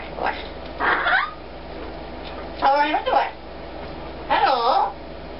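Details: A male Double Yellow-headed Amazon parrot speaks four short phrases such as "hello" and "how are you", roughly one a second, over a steady low mechanical hum; he talks mainly when the washer or dryer runs.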